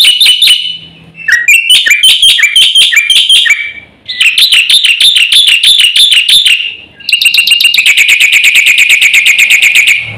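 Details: Black-winged myna (jalak putih) in vigorous, full-content gacor song, used to provoke other birds. Bursts of loud, rapidly repeated ringing notes with harmonics, about three per second, broken by short pauses and shifts to new repeated phrases.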